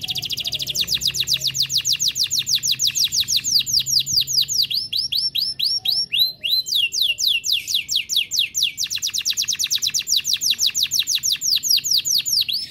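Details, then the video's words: Canary, F1 (first-generation) cross, singing without pause in fast, high rolling trills of downward-swept notes, about six to seven per second, shifting from one tour to the next; vigorous song used as a master tutor for canaries. "Kenari F1Ys Gacor Dor"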